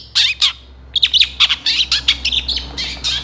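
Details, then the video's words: Long-tailed shrike song used to train songbirds: two harsh notes, then a rapid, scratchy chatter of many short varied notes in quick succession. "SUARA CENDET GACOR DOR FULL ISIAN TEMBAKAN COCOK BUAT MASTERAN BURUNG KICAU APAPUN"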